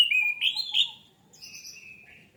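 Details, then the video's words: Orange-headed thrush lure song to set off singing: loud, rolling, whistled notes sliding up and down, followed by a quieter high thin whistle and a fading lower note. "PANCINGAN ANIS MERAH MEMICU CEPAT BUNYI DAN GACOR!"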